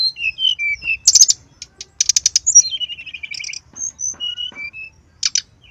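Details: Brown-chested jungle flycatcher in full song, meant as a lure: descending whistled notes broken by dense buzzy bursts, a gliding trill, and scattered clear high whistles.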